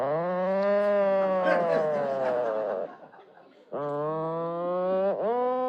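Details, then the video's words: Atlantic Puffin giving its "chainsaw snore" call: two low, drawn-out, rasping groans like a snore or a distant chainsaw, the first long, then a pause, then a shorter one. "So, let me play. This is the song of our beloved Atlantic Puffin."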